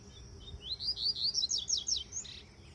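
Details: Brachiaria-fed double-collared seedeater with three moults gives a quick string of high, sweet whistled notes: slurred phrases speeding into rapid up-and-down chips for about one and a half seconds, then a short buzzy note, over quiet background.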